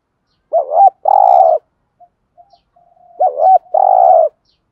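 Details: Decoy spotted dove giving 'thúc gù' cooing in a 'giọng thổ' voice. Two phrases about two and a half seconds apart, each a warbling double note then a steady buzzy coo, with faint soft notes in the gap.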